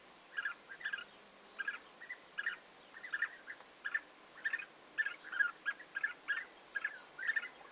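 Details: European bee-eaters recorded 29 May 2021 repeat clear rolling 'prrip' calls in steady pairs and triplets, about two groups a second, each note bubbly and burred.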